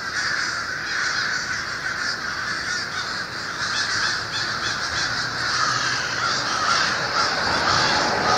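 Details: More than 1500 American and Fish Crows vocalize loudly on waking in an overnight winter roost on the Merrimack River, Lawrence, Massachusetts, ahead of dawn dispersal. Dense, restless mass of grating caws, rapid and overlapping, swelling toward the end.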